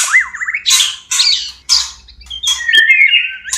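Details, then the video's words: Caged white-rumped shama (murai batu) breeding song used to stimulate mating readiness: zigzag whistled notes, then a run of harsh raspy bursts, ending in a rising, wavering whistle. "SUARA PANCINGAN MURAI KAWIN PALING TOP ‼️Terapi ampuh murai cepat birahi."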